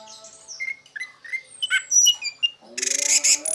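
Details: Orange-headed thrush in teler song, meant to stimulate a silent orange-headed thrush. Short scattered whistles and high thin slurs are followed by a harsh, noisy, pulsing burst, with a steady humming tone underneath.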